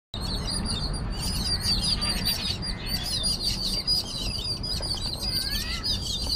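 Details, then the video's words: Jungle babblers gather to mob a cat, a potential predator, giving a continuous, harsh, squeaky chatter of overlapping calls over a low rumble of wind or background noise. "Music courtesy- Jungle Babblers"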